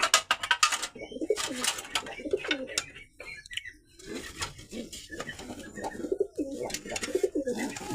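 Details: Home-kept white high flyer pigeons give repeated soft, rolling coos, several overlapping, amid rustling, flapping and clattering room noise.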